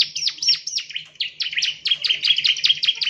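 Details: Ciblek, or bar-winged prinia, gives rapid scratchy chirps used as a training lure, dense runs of downslurred and flicked notes that grow faster toward the end, with a low hum behind.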